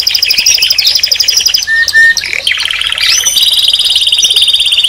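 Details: Singing canary pours out fast rattling trills of tiny repeated notes, then clear sustained whistles and a long buzzy trill at the end, bright and high-pitched throughout.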